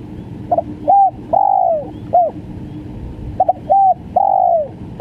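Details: Spotted dove, 'gagap' stutter call: two phrases, each a brief stammered note, short coo, drawn-out downward coo and short end coo, hollow low tones over light hiss.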